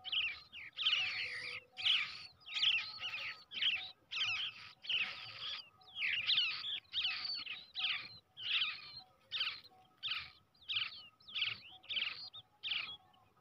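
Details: A hand-raised brown shrike chick, reared from the egg, gives harsh, raspy begging bursts, about one every second, loud and insistent, with a faint steady hum behind.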